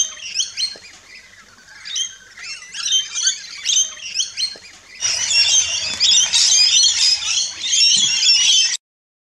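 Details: Rainbow lorikeets squawking and chirping at a backyard feeding station in Australia; separate sharp screeches repeat rapidly, then several birds break into a loud, continuous shrill chorus.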